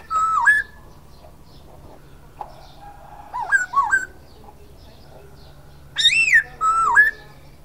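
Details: Silver-eared laughingthrush singing loud, clear whistled notes that dip and rise in pitch. A wavering double note comes in the middle, then a strong arched whistle followed by a level note with a dip. Quiet gaps separate the phrases, with a faint low hum behind.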